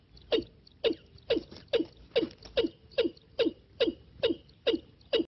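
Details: Watercock decoy call used in trapping: a rapid, even series of about a dozen clipped, downward-sliding calls, two or three each second, loud and punchy.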